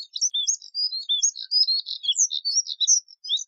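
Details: Fast, continuous high-pitched warbling from a Moussier's redstart, thin squeaky notes and short slurred whistles strung tightly together, quiet background.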